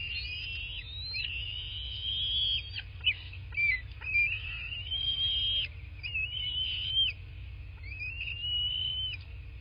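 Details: Bald eagle calling at its nest in a quiet southwest Florida landscape, recorded by nest camera on 8 March 2024 late morning; a run of high, drawn-out whistled whines and short chirps over nearly ten seconds, with a constant low hum beneath.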